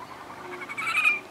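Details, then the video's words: Red-necked grebe on Spirit Lake, Idaho, in May 2012, where the birds return each year, gives one brief, strained, nasal wail that swells and fades within half a second, over faint hiss. "Red Necked Grebes and their call"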